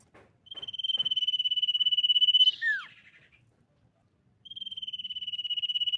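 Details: Common iora song meant to provoke other ioras into singing. A long pulsed whistled trill ends in a sharp downward-slurred note. After a pause the steady, rapidly pulsed trill starts again.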